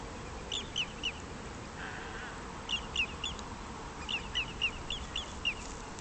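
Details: Whimbrel (Numenius phaeopus) recorded at the Ría da Ramallosa, Pontevedra, Spain, calling in quick rippling runs of three to six clear, slightly downslurred whistled notes over steady wind or surf noise.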